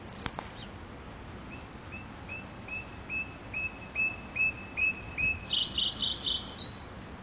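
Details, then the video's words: Nightingale in Makoui park delivering a series of about ten pure whistled notes, repeated roughly every third of a second and swelling louder, ending in a rapid high rattling flourish. "صدای بلبل خفن در پارک ماکوئی"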